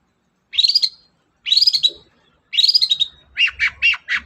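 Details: Long-tailed shrike (cendet) singing in captivity, a prompt to get quiet shrikes to sing: three harsh, rasping downslurred bursts about a second apart, then a run of short chattering notes.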